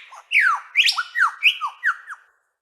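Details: A female superb lyrebird gives the female-specific whistle song: about seven clear, sweeping whistles, mostly falling in pitch, in quick succession over two seconds.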